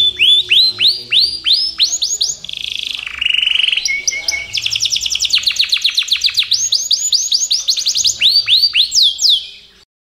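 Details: Yorkshire canary in full song, with rapid series of bright rising whistled sweeps, a short buzzy roll, then long fast trills of sharp clipped notes and more sweeping upslurs.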